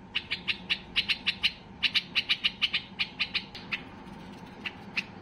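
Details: White-eared bulbul at peak excitement, urging other bulbuls to sing, delivers rapid bursts of sharp high chips, a pause, another fast run, then a few scattered closing notes.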